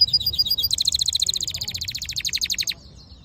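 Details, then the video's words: Singing black-hooded yellow siskin mule: a few high chips, then a long, even, rapid trill of bright repeated notes lasting about two seconds before stopping abruptly. Low background hum. "Black HOODED yellow siskin mule | Cabecita negra CD | Carduelis singing"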